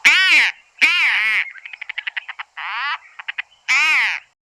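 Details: A Broad-billed Roller from southern Africa gives harsh, rasping squawks about half a second long, separated by quick bursts of stuttering, clicking chatter.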